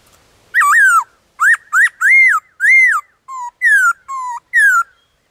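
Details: Black-throated laughingthrush singing in the wild forest with many voices. A rapid series of rich arched whistles, some paired, followed by lower flat notes alternating with falling slurs, all strong and clean.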